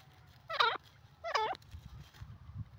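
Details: Grey francolin (teetar) gives two loud, harsh calls about a second apart, each a stacked burst that dips and rises. A low rumble of background noise runs beneath.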